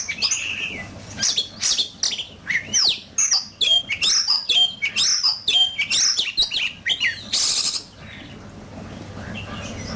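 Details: Oriental magpie-robin in heated singing-competition form, a handsome bird, pouring out rapid whistled phrases with clear pure level notes and quick chattering fragments, packed densely before a burst of hiss and quieter background.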